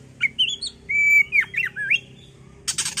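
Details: Oriental magpie-robin (Copsychus saularis) song, used to provoke other birds into singing: a rich run of clear whistles, slurred rising and falling notes around a steady held whistle, ending in a harsh buzzy burst.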